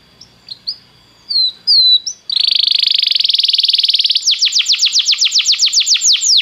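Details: Belgian canary song intended to warm up a canary: a few soft scattered chirps, then a long rapid buzzy trill turning into a quick run of loud sweeping notes.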